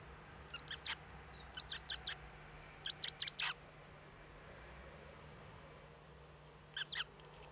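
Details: Eurasian eagle-owl, Eifel region of Germany, early morning 8 April 2014 as the first chick hatched; groups of three to four high, sharp peeps repeated in bursts, then a quiet stretch and two last peeps, low hum beneath.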